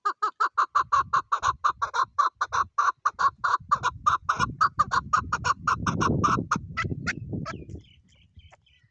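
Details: Female chukar calling in Pakistan: a long run of loud, rhythmic, clucking chuck notes, about three per second, fading out as a low rumbling noise rises and then dies away.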